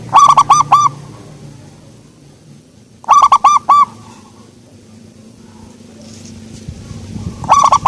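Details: Local zebra dove with a soft voice, cooing in short rhythmic bursts of four or five rich, hollow notes, each burst about three seconds apart, over a low background hum.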